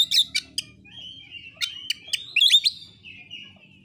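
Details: Caged Oriental magpie-robin giving its provocative fighting song to stir rival birds: sharp clicks and chatters open, followed by a drawn-out thin whistle, then a quick cluster of bright notes and a fading whistle over a faint low hum.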